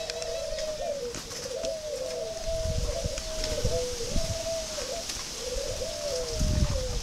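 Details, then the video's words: Spotted dove of the northern pink-necked kind, a kept bird in Vietnam, repeating a low, rolling two-part coo about once a second, with a low rumble in the background. "chim cu gáy hay phấn hồng miền bắc"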